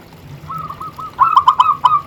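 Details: Zebra dove of local stock, kept to provoke and lure others, gives faint soft coos that swell into a louder burst of five or six hollow, bubbling notes near the end.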